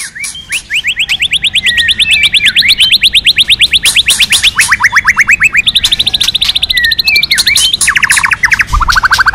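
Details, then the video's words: Female white-rumped shama calling to stimulate the male. Long rapid trains of sharp repeated chirps run through the whole clip, shifting pitch between trains. Occasional slurred whistles are mixed in. "Tiếng Kích Chòe lửa Lên Lửa hót nhiều giọng,chòe lửa mái hót kích trống kích nhạy."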